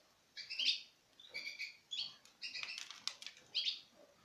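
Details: Citril finch pairs from 2016 eating from the hand, giving faint, short, high chirping notes in scattered bursts, with soft fluttering sounds between them.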